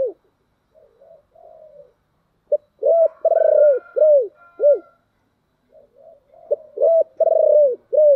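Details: Deep-voiced 'thổ đặc' spotted dove calling to provoke wild doves into replying. It gives repeated phrases of loud, rounded coos, each series ending in a drawn-out note, with soft murmured cooing between phrases.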